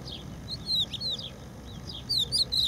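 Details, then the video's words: Strictly protected crested lark at a beach refuge in Empuriabrava sings clear, liquid whistled notes, slurring up and down in two short bursts separated by a brief pause, over a faint background hiss. "song of the crested lark - Gesang der Haubenlerche - Cogullada"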